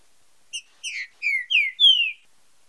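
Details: Green-winged saltator song in the fibra com marcheado style, used for training and stimulating singing: a few short clipped notes, then three loud descending whistled slurs that grow longer and stronger, in clean quiet surroundings.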